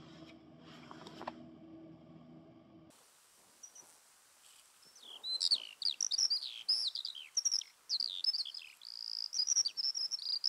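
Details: A distant Eurasian skylark (Alauda arvensis) singing in spring at Deer Leap, Mendip Hills, UK, pours out a fast, high, liquid song of chirps, trills and warbles; a few seconds of low music precede it.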